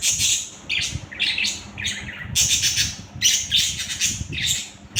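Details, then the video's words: Pet budgerigars being playful, giving a run of harsh, high squawks and screechy chirps in quick bursts about every half second, with low indoor rumble beneath. "Budgies ki masti"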